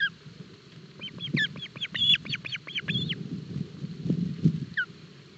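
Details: Osprey chicks being fed breakfast fish at a Barlinek Forest nest, 07 July 2022, nest camera; a rapid series of about ten sharp, high whistled chirps, then a lone call later, over low rustling.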